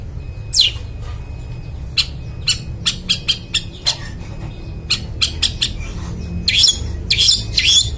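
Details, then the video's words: Long-tailed shrike singing, used to stimulate silent birds: irregular clicks and short sharp chips scattered through the clip, closing with several louder harsh rasping notes; low background rumble throughout. "Suara Cendet Gacor Paling Dicari,Bangkitkan Suara Cendet Bisu Gak Mau Bunyi"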